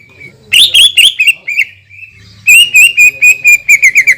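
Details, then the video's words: Greater green leafbird 'shooting' song used to provoke other leafbirds: a thin held whistle, a few loud chirps, then a fast wavering series of clipped notes. "PANCINGAN CUCAK IJO GACOR DENGAN TEMBAKAN PANJANG YANG MEMATIKAN"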